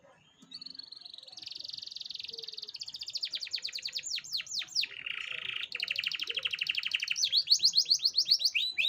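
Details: Canary song used as a lure to get a young canary to start singing: a loud, fast run of rapid repeated trills and rolling phrases, high and bright, shifting between buzzy rattles, pure whistled notes and downward-sweeping chirps.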